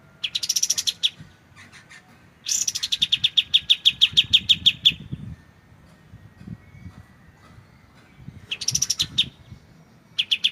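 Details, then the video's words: White-shouldered triller, the kapas tembak, delivering clear shooting-style song bursts as shama tutor material: fast strings of bright repeated chips with silent pauses between, faint low background rumble. "MASTERAN kapas tembak suara jernih"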